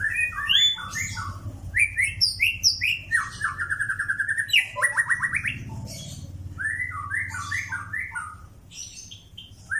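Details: A White-rumped shama of the Pastol type, trained for mentality, delivers a rich, fast song. Stacked whistled and slurred notes come in dense bursts, with rising sweeps and brief harsh chatters. A steady low hum sits beneath.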